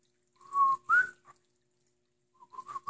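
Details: Household pet cockatiel singing indoors: two bright whistled notes, the second rising, followed after a pause by a soft run of short whistles climbing in pitch, with a quiet room background.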